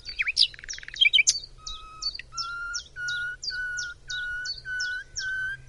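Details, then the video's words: Singing nightingale, Macedonia: quick tangled chirps and trills, then a slow series of steady pure whistled tones, each followed by a sharp flick, repeated about once a second. "BILBIL - Nightingale"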